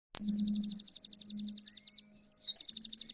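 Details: Bar-winged prinia song used as a master recording to train magpie robins and other songbirds: a fast, even burst of high, sharp repeated notes, about ten a second, briefly broken by a slurred whistle before the rapid notes resume.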